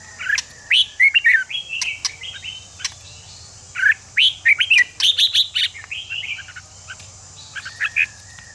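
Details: Red-whiskered bulbul song used to stimulate fighting song in caged birds: dense runs of quick, bright chirps and warbled notes in several bursts, with sharp clicks and a constant low hum.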